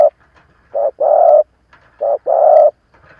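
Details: Seasoned decoy Spotted dove calling to stir up wild rivals: two phrases of a clipped soft coo followed by a longer, fuller coo, low and mellow, over quiet background.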